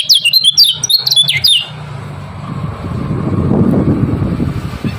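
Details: Yellow-vented bulbul giving its 'ciak ciak' call, meant to stir rival birds into singing: a quick burst of sharp, high, rapid chirps over about one and a half seconds, then low rumbling background noise.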